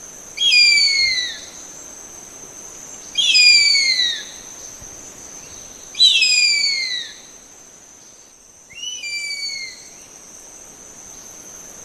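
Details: Harpy eagle calling: drawn-out, high, whistled wails that slide downward, given about every three seconds, with a steady high insect-like tone running underneath.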